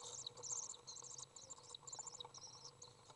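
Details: Dense, shrill twittering from a Common swift nestling being fed by a parent inside a nest box, recorded June 18th 2011; rapid high trills run together almost without pause over a faint background hum.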